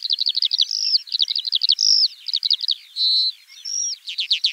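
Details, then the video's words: Skylark singing a rapid series of repeated chirping notes broken by short whistles and rattling trills, the bird's song flowing continuously over a soft background hiss. "Kiurun / Leivon laulua | Skylark Singing"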